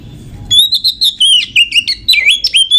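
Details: Oriental magpie-robin song used to provoke other magpie-robins, said to be from a female luring males: a continuous two-second string of loud, varied whistles, warbles and slurred trills.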